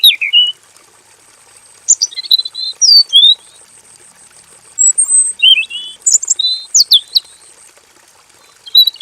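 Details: Aviary-kept male robin giving a long, rolling full song. Scattered groups of quick sliding whistles and chips come in several bursts with short gaps, some phrases swooping up sharply. A steady high whine stays in the background.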